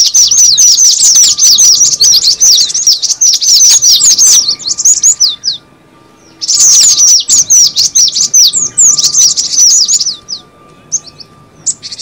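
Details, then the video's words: Cinereous tit call used as a lure for trapping birds: long bursts of fast, sharp high chirps and twitters, broken by a near-silent gap mid-way, then resuming before fading into scattered notes. "suara pikat burung gelatik batu"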